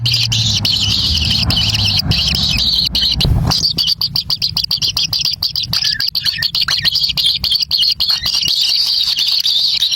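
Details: Kingfisher young at their nest, fed a black lizard by an adult: a dense, rasping high-pitched wheezing chorus pulsing rapidly. A low hum under the first few seconds fades before the calls continue alone.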